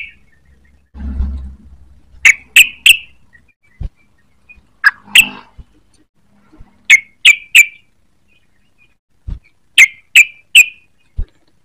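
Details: Young yellow-vented bulbul learning to sing gives loud, sharp, clipped chips in quick groups of two or three, with pauses between groups. Soft thuds and a low rustle are heard now and then.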